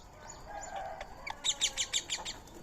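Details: Indian ringneck parakeet feeding on soaked rice and corn meal beside a squirrel; after a quiet start, about six harsh, sharp screeching notes come in quick succession over a faint low background hum.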